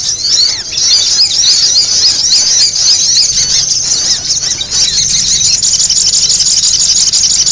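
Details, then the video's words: A spiderhunter lure recording of a noisy sogok ontong gives a busy, unbroken stream of shrill, sharp chattering calls, roughly two a second, with a faint low hum beneath. "Suara pikat burung sogok ontong ribut"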